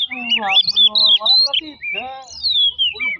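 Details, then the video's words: Oriental magpie-robin song used as a provoking lure: clear whistled slurs at the top, layered over lower, harsher buzzy notes, ending in a long descending whistle. "pemancing emosi burung kacer"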